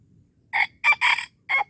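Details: Red junglefowl at Darul Kamal, Aceh, recorded during a luring session: a short, clipped crow of four harsh, rasping bursts within under two seconds, the last separated by a brief pause, over a quiet background.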